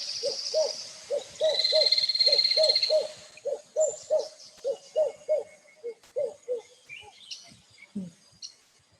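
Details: White-crowned Hornbill, a highly carnivorous species with a call described as very bizarre. A long series of deep, hollow hoots comes in doubled pairs, about three notes per second, then slows and fades, opening over a high ringing whistle.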